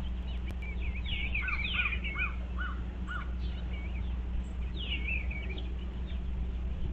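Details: Eastern bluebirds checking out a birdhouse on 25 February 2023: soft warbled phrases of short falling and looping notes, a lower chattering series mid-clip, over a steady low hum.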